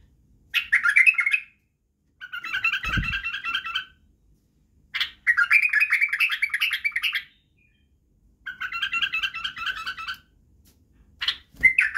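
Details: White-eared bulbul for schooling chicks in song: repeated bursts of rapid, rattling trills lasting one to two seconds, separated by silences, with an occasional sharp note and a low thud.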